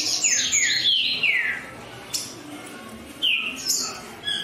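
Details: Green-winged saltator giving several loud, falling whistled notes in a quick burst, then a pause with soft clicks before another short descending whistle.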